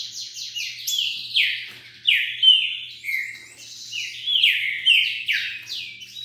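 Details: Wild green-winged saltator in rapid song, pouring out bright whistled notes that slide downward, strung close together in a continuous lively sequence.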